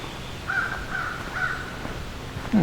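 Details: At midsummer solstice 2024 by the Beverly Swamp, Flamborough, Ontario, an American crow gives three hoarse, distant caws about half a second apart, faint against a quiet outdoor background, before a man starts speaking.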